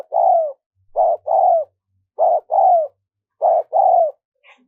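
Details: Steady spotted dove cooing for decoying wild doves: four two-note phrases, a short hoot then a longer falling coo, each roughly a second apart, clean and close.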